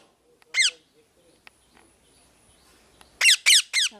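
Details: Loud parrot chirping: a single harsh call, then a quick run of three down-slurred, buzzy squawks near the end, each rich in overtones; faint background sounds between calls.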